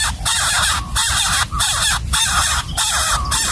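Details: Wild nestling begging hungrily while its parent delivers a gecko to the nest, rasping harsh calls in rapid bursts separated by short pauses, about one and a half per second.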